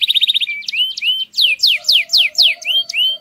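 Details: Canary singing to stimulate females to mate: a rapid trill of short high notes, then a series of clear descending whistled slurs repeated about every third of a second, with a faint lower steady tone underneath.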